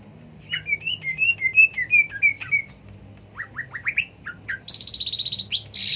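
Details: Cucak ijo, a green leafbird, gives a string of short whistled and chirped notes, then a series of falling slurred whistles, ending in a loud rapid high buzzy trill.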